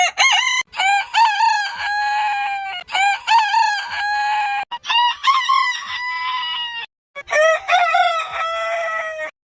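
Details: Rooster crowing in quick succession: four crows, each opening with a shaky, wavering phrase and trailing into a steady, ringing drawn-out note, separated by brief cuts.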